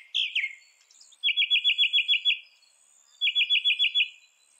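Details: Northern mockingbird phrase: a couple of harsh slurred notes, then two bursts of rapid, evenly spaced trilled notes separated by a pause of about a second.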